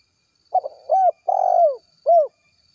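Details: Spotted dove calling companions in the 'kuk 1' gacor style: a stuttered opening, a rounded hoot, a long falling burry coo, and a closing clear hoot, all low-pitched against a still background.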